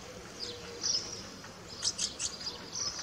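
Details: House martin calling: short, dry chirps and buzzy twitters high in pitch, given irregularly about once a second, with a few louder clustered notes in the second half over faint background hiss.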